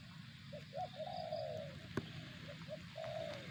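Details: Two spotted dove phrases, each quick soft notes followed by a prolonged descending coo, with a single sharp click between them and a steady low drone.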